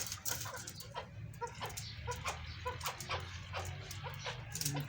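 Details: Chukar partridges from a big-sized breeding pair kept in captivity, repeating clipped, nasal chuck notes roughly twice a second against a steady low hum and scattered clicks.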